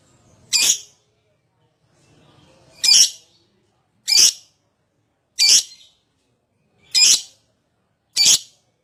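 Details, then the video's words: Lovebird calls meant to prompt other lovebirds to sing: single sharp, shrill chirps spaced one to two seconds apart, six in all, with a faint murmur in the background. "Pancingan Love Bird Agar Cepat Ngekek"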